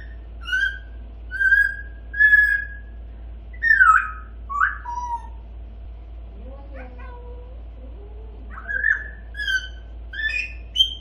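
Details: Young grey parrot, eight months old, babbling and sometimes saying a few words: clusters of short whistled notes and chirps, some sliding downward, spread over several seconds above a steady low hum.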